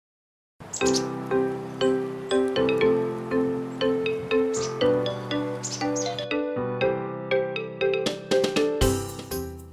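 Melodic instrumental music with steady plucked and chiming notes, about two per second; no animal voice stands out.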